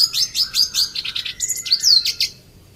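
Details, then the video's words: Red siskin in an aviary giving a brief series of sharp high chirps and a slurred whistle, with a faint steady tone in the background. "Red Siskin Mewah"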